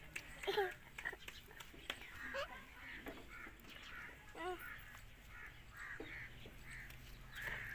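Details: Ringneck parrot giving harsh, harmonic squawks, repeated roughly once a second with short gaps, some calls bending downward, over a low steady background hum.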